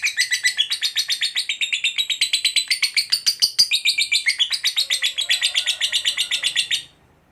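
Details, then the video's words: Fighter-type lovebird giving a long 'ngekek' trill meant to provoke other lovebirds into answering: a fast, shrill, chattering series of pulses, roughly four per second, sustained for nearly seven seconds before stopping abruptly. "Lovebird FIGHTER Ngekek Panjang FULL EMOSI_Pancing Lovebird KOYO AUTO Nyaut Gacor RAJIN BUNYI"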